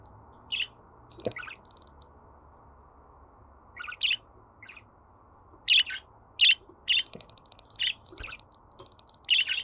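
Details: Pet budgerigar calls for getting a caged budgie to sing: scattered high, buzzy chirps, sparse at first and then clustered in a lively run, with soft clicks and light background hiss.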